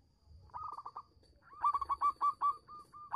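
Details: Local zebra dove singing as a lure to make silent doves answer: a soft burst of short notes, then a run of clipped, evenly spaced cooing notes at a steady mid pitch, repeated about five times a second.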